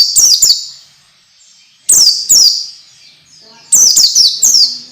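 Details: Tutoring song (masteran) for young orange-headed thrushes: three groups of two or three rapid, shrill downslurred whistles, roughly two seconds apart, in an otherwise quiet setting.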